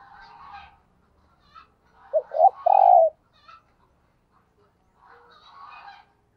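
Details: Spotted dove kept as a decoy bird, giving the urgent 'thúc gù' cooing style. A quick run of short, low, hollow coos is followed by a longer sustained coo, with faint softer sounds before and after.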